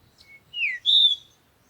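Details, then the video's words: Birds at sunrise in the morning: two clear whistled notes, the first sliding downward, the second a longer steady high whistle, with a faint short note before them in a quiet setting. "Morning Sunrise and Birds sound"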